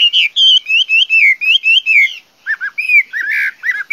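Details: Chinese hwamei giving clear, loud whistles. A string of rising and falling slurred notes comes about five per second, then a short pause and a few lower, looping double whistles.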